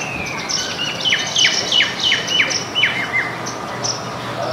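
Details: Baya weavers gathered in a backyard house garden in India, eating grains together with white-throated munias and Indian silverbills; quick, sharp, downward-sliding chirps several times a second over soft, continuous background chatter.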